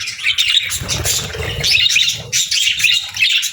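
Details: Parakeet chatter of quick high twitters and scratchy squeaks over a soft low rumble, fairly loud and continuous.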